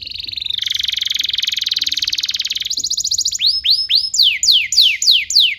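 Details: Canary song used to teach juvenile canaries: a long, rapid pulsing roll lasting about three seconds, followed by loud, evenly spaced whistles that each swoop up and then fall, roughly three per second.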